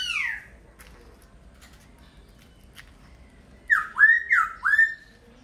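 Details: A laughingthrush gives a falling slurred note, goes quiet for about three seconds, then delivers three loud, clear whistles, each rising and then dropping, in rapid sequence.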